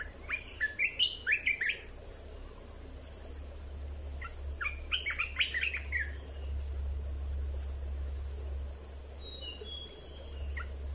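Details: Caged red-whiskered bulbul with a song used to teach young birds and excite other birds. Bursts of clipped whistled chirps come in two bouts, early and midway, over a constant low droning hum.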